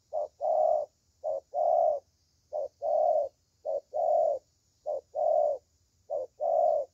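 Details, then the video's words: Repeated low cooing of a spotted dove praised as a good singer: five even pairs of a brief coo then a longer rounded coo, close and clear against faint hum. "Thổ Tơ Tốt Tiếng"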